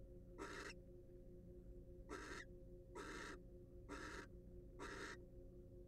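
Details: Wild barn owl filmed by a research nest-box camera: five harsh, broadband hissing screeches, each about a quarter second, spaced roughly a second apart over a steady low electrical hum.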